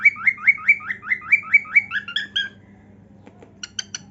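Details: Pet cockatiel singing while dancing: a run of about eight whistled notes, each swooping up then down, spaced roughly a quarter second apart, then a few higher chirps and later short sharp clicking notes over a low steady hum.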